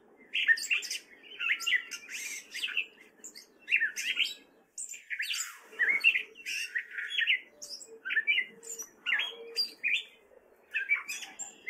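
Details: Male gray catbird singing during spring in Fairfield, Iowa, wary of people: a long jumbled stream of chattering, squeaky and harsh notes in quick varied phrases, with a faint low hum underneath.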